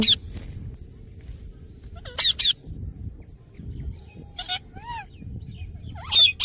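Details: Pet parrot calling in sparse, harsh screeches separated by pauses, plus a few thin, curving whistled notes that dip and rise, over a low background rumble.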